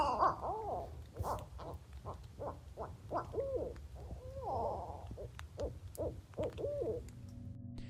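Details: At night in the woods, heard from a campsite, barred owls talk to each other in a rapid series of loud, wavering hoots and cackles, a monkey-like chatter rising and falling over about seven seconds.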